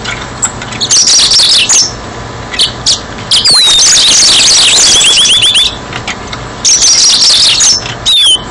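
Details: Singing yellow-fronted canary used to lure birds into traps, giving bursts of high fast twitters, a descending series of repeated slurred whistles, and a final sharp rising-falling note.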